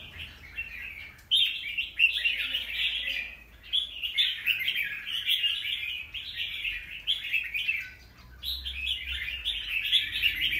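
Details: Wild-caught Red-whiskered bulbul in new plumage, in its second season, singing several bursts of scratchy warbling, each lasting a few seconds and separated by short quiet gaps. A low hum persists in the background.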